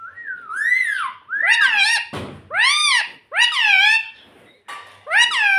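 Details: A pet ring-necked parrot indoors mimics speech, repeating "mummy" in loud, harmonic, arched squawky syllables with short gaps, a dull thump midway.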